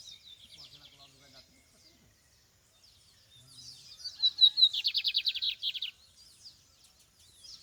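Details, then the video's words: Lined seedeater in open countryside: after soft high twittering, a bright accelerating phrase breaks into a rapid, harsh trill of evenly repeated notes lasting about two seconds, then quieter chirping returns. "Campeada de bigodinho"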